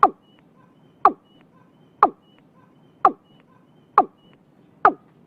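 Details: Six evenly spaced, hollow knocking calls, about one each second, from a watercock in Vietnam recorded early in the year.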